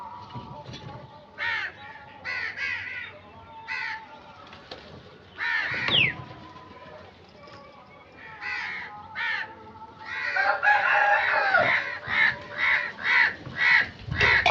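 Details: Crows calling outdoors: scattered harsh, nasal caws at first, then a dense stretch of overlapping, rapidly repeated caws from several birds near the end, with a low background hum throughout.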